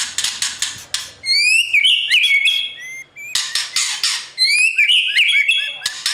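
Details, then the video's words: A white-rumped shama sings in the morning to train newly caught birds for competition, alternating grating, noisy rasps with bright whistled, rising phrases and thin high chips, in two repeating cycles. "Chòe lửa hót sáng luyện giọng cho bổi hót đấu căng lửa , chòe lửa luyện giọng"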